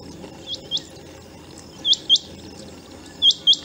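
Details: Rain quail calling in fields during the rainy season, when it migrates in to breed: sharp high doubled notes, three pairs within four seconds, steady low background hum.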